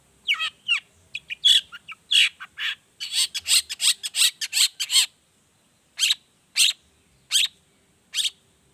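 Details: Long-tailed shrike's 'toet toet' variation song for prompting other shrikes to sing: a quick burst of harsh, grating notes and short slurs, then single sharp rasping notes about every half second.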